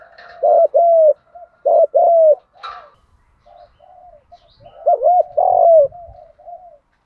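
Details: Spotted dove 'thúc gù' cooing, full-voiced and used to lure wild doves; three low paired coos separated by gaps, short hooked note then longer arc, with soft murmuring notes between.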